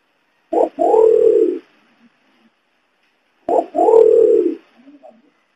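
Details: Imperial pigeon, locally called pergam, kungkung or cakurra, heard in a lure recording used to attract the bird: two low, hollow cooing phrases, each a short lead note then a drawn-out coo, about three seconds apart, in quiet surroundings.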